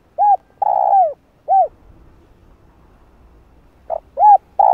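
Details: Lure recording of a spotted dove to draw wild doves; mellow low coos, a short note, a long sustained coo sliding down, then a rounded coo, followed by quiet and another phrase beginning.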